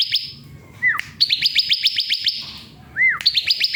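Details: Masteran recording of a bar-winged prinia for training songbirds. Two brisk runs of sharp, high repeated notes, each set up by a single arching whistle that climbs and then drops away.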